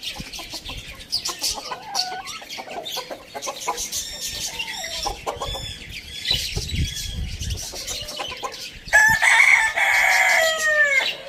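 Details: A rooster crows in the morning, a loud harmonic crow breaking in near the end, over a busy background of clucking hens and chirping small birds.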